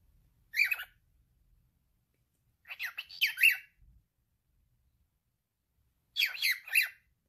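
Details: Male cockatiel at home talking: three spaced bursts of harsh, chattering syllables, the middle and last ones longer, with a soft thump just after the middle burst.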